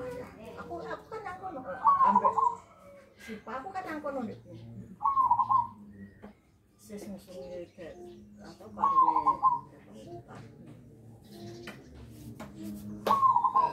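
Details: Pet zebra dove, about one year old, hand-reared from young and tame, singing in the 'nggayer' style with a big, deep voice; short bursts of trilled cooing recur every few seconds among people talking and other background sounds.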